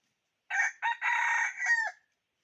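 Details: Red junglefowl decoy rooster calling wild fowl, one crow in four parts: a short harsh opening note, a brief second note, a long sustained rough middle, then a falling drawn-out ending, about one and a half seconds overall.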